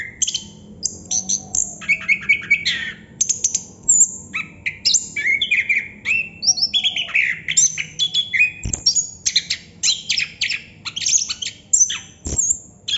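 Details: Non-stop 'ngerol' singing by a Chestnut-capped thrush, a fast, jumbled stream of high squeaky notes, chirps and lower warbles running on for many seconds.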